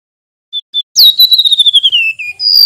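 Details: Two brief high whistles from a male mangrove whistler, then a flicked note and a long, evenly pulsed trill gliding downward. A new higher whistle begins at the end.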